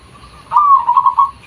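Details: Zebra dove, local type, lure call: a single phrase opening with a sharp rising note, then a fast trembling run of soft coos at a steady mid pitch, ending abruptly.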